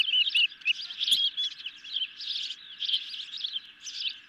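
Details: Late evening at an osprey nest on 10 July 2021, hungry birds receiving a medium-sized fish: quick, sharp piping chirps, some slurred upward, running in a near-continuous chatter. Recorded by a nest camera with a low background hum.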